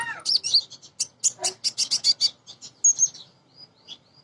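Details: A female Crimson sunbird calling males, song used as a lure for singing birds: a rapid run of high chipping notes about five per second, tailing off into a few thin whistled notes.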